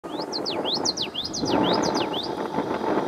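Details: A male Common Yellowthroat sings at Asilomar Dunes, California: a quick, high run of sharply slurred notes, paired rising and falling, over about two seconds, against a steady rushing background noise.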